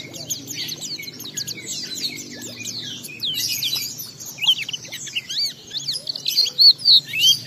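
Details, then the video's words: Oriental white-eye ngalas song used as a lure for other white-eyes: thin, rapid high chatter at first, growing into louder, sharper chirps and ringing whistled notes toward the end. "Pleci Bahan Segera Ngalas Nembak dan Bongkar isian setelah diperdengarkan pleci gacor ini"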